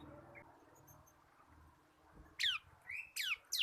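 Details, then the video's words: Caged local bar-winged prinia of the crystal kapas type, kept as a tutor bird to train cage birds, sings four sharp high downslurred notes in the last second after a near-silent start with faint low hum. "BURUNG MASTERAN CIBLEK KRISTAL GACOR / CIBLEK LOKAL KAPAS SUARA NGEBREN"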